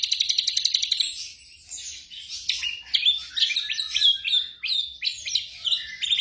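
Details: Black drongo song for training caged birds at night: begins with a fast, regular ticking rattle, then jumpy high whistles and sharp slurred chirps repeated about three per second.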